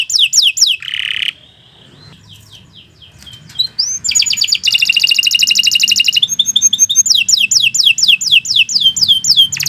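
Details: Canary song for training: a quick series of chirps and a harsh burst, then near-quiet soft notes, before loud rapid buzzy trills and repeated downward-sweeping whistles resume.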